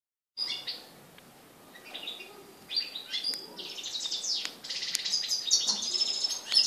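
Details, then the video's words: European goldfinch singing in Morocco, recorded 4 December 2013: scattered high tinkling notes at first, building into a dense, fast, liquid twittering with buzzy trills over the final three seconds. "chardonneret au maroc"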